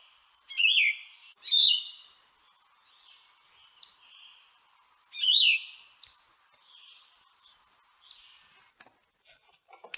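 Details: Yellow-throated Vireo song with a raspy, scratchy, voice-cracking quality, remembered as "here I am, over here, 3-8": loud burry slurred phrases in pairs, then pauses and softer notes, with faint sharp clicks between.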